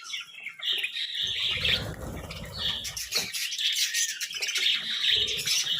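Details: Budgerigars eating colourful vegetables, chirping together in a busy high-pitched warble of short squeaky notes and trills, with a soft low rumble of movement and feeding in the background.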